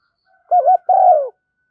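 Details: Female spotted dove used as a lure for wild doves. Two soft coos: a short wavering note, then a longer, slightly tremulous coo that slides downward. The background is clean.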